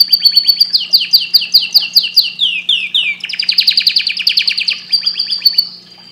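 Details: Canary singing loud rapid trills, chains of fast falling notes repeated several per second, shifting between high and mid-pitched tours with a steady low hum beneath.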